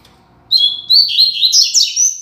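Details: A Rusty-collared seedeater gives the classic Tui Tui Zel Zel song, used to train young birds. It is a loud, high whistled opening, then a continuous run of quick, sliding warbles that sweep upward near the end, with a faint low hum underneath.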